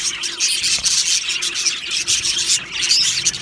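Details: Australian budgie colony in an aviary, cheerful birds chattering; a short burst of thick, hissy high chirping with a few clearer whistled squeaks poking out of the crowded din.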